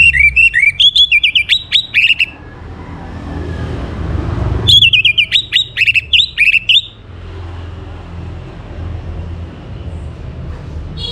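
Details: Orange-headed thrush sings two bursts of rich, varied whistled phrases, each about two seconds long, with a low traffic rumble underneath.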